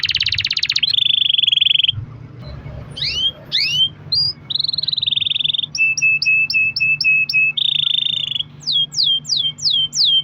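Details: Canary singing as a lure recording for other canaries: buzzy rolls, a pause, rising swooping notes, high clipped double pips, another roll, then four slow falling whistles, over a low hum.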